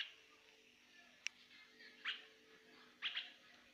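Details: Pet myna flying about, giving three short, sharp, high chirps spaced about a second apart, the last one doubled, over a faint steady hum.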